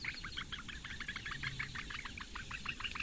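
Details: Four Eurasian bittern chicks begging at feeding time, female attending, webcam nest at Lake Engure, Latvia, May 2017. Brisk, slightly ragged chirping notes, several overlapping, with a brief low hum in the background.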